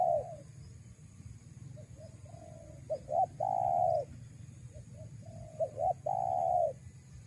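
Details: Spotted dove lure call for wild doves: soft short notes, paired hooked notes and a loud extended coo, repeated twice across the stretch, steady low hum throughout.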